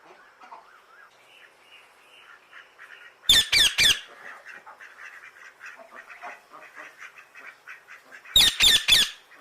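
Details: Parrot giving loud, harsh squawks in two bursts of three, with quieter chattering and murmuring calls between them.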